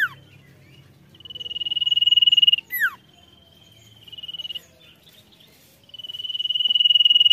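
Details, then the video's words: Sirtu in energetic song, with pulsed high trills growing louder over one to two seconds, broken by a steep descending whistle, then more rising trills. Faint low background noise throughout. "Sirtu Gacor Bikin Emosi Lawan"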